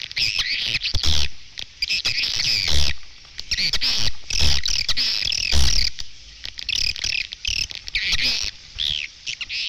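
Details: A twittering chorus of edible-nest swiftlets on a nest-house lure recording: repeated surging bursts of high, chattering calls, each lasting about a second, with brief dull thumps underneath.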